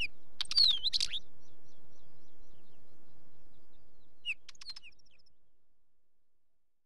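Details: Wheatear giving a brief phrase of clicks with a whistled descending slur, then silence and a second short crackling phrase with squeaky notes; otherwise quiet.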